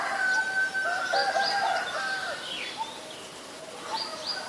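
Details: White-vented myna recorded at Ubon Ratchathani, Thailand, on 9 March 2022: a busy run of calls with steady mid-pitched tonal notes, short high whistled upslurs repeated several times, and a few lower chirps over a faint rural background.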